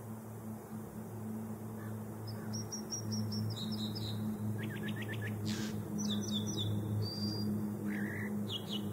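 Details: Singing American dipper delivers varied high phrases: a rapid series of repeated clipped notes, a short trill of descending strokes, then whistled slurs and chips, all above a steady low rumble.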